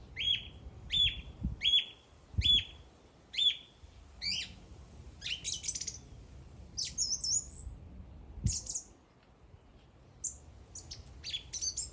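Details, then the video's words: A bird opens with four identical sharp chirps, evenly spaced about a second apart, then breaks into varied high twittering and short trills, with occasional low thumps. "The bird is singing."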